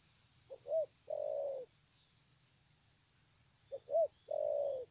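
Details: Cooing spotted dove noted for excellent voice, 9 June 2020: two mellow phrases roughly three seconds apart, each a brief note, a curved coo and a sustained low tone; continuous hiss and faint rumble behind.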